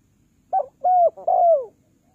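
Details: Spotted dove giving a three-part coo to call birds down, a quick first syllable then two sustained, gently falling hoots, with faint low rumble underneath.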